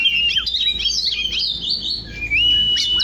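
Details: Morning song of an Oriental magpie-robin: dense twittering high notes running together, ending in a clear rising whistle that levels off and holds.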